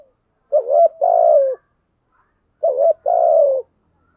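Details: Spotted dove used as a decoy in the rainy, stormy season, cooing to attract wild birds: the same low two-part phrase, a short note then a drawn-out croon, given twice about two and a half seconds apart.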